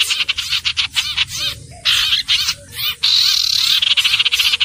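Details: Common iora: clipped chattering notes, then a long, even whistle that gently falls, followed by fast stuttering bursts.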